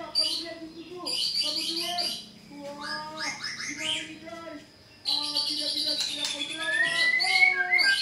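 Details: Energetic white-rumped shama song, played to provoke a caged bird into answering: dense bursts of high chattering notes and whistles, broken by a near-silent pause after two seconds, then a loud fast rising phrase near the end.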